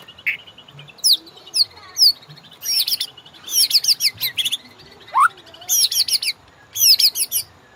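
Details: Master song of a white-rumped shama for caged-bird training: repeated high curving whistled phrases and dense twittering clusters, with one lower upward-swept whistle near the end.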